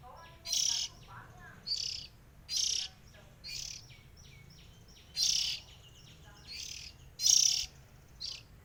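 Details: Oriental magpie-robin, three siblings, singing in short bright bursts of chirps and rich whistles repeated every second or so, with quieter faint warbling between phrases and a low steady hum behind.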